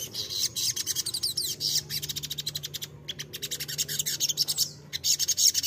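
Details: Crimson sunbird lure song for prompting untrained birds to reply: long, almost continuous high, rapid chattering notes, broken by two short silences, with a soft low hum beneath.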